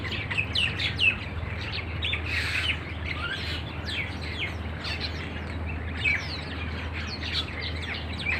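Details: Many wild starlings calling together in an Omani date plantation, a busy chorus of short chirps, squeaks and sliding whistles over a constant low background hum.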